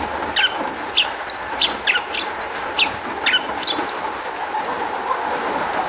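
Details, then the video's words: Long-tailed shrike singing as a lure to prompt other shrikes to answer: spaced, sharp downslurred notes mixed with short high whistles, repeated every half second, with a constant background hum. "kicau cendet gacor MEWAH ISIAN buat PANCINGAN CENDET AGAR BUNYI jadikan BURUNG PENTET NYAUT"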